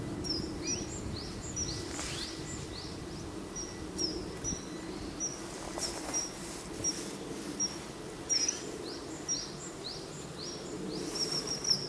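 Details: Perched male common kingfisher, 14 March 2012, calling steadily as if summoning a female. It gives a long run of short, high, upslurred whistles at a rapid pace, with some noise bursts and a low background rumble.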